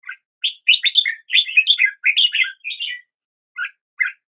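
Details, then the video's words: Song of a red-whiskered bulbul, lively warbled notes strung in fast bursts, several phrases close together followed by two brief isolated notes after a pause; quiet surroundings. "Red whiskered Bulbul Song"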